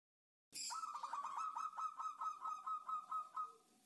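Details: Female zebra dove (perkutut) calling the male, used as a lure to draw other doves into calling; a quick run of short cooing notes merging into a steady series of level, arched coos, about two per second, with faint background hiss.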